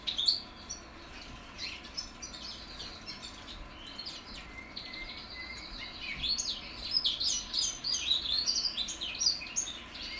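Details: Goldfinch mules from 2021, young birds practising their song: scattered high chirps, then a drawn-out thin whistle held for over a second, followed by quickening bursts of twittering and warbled notes toward the end.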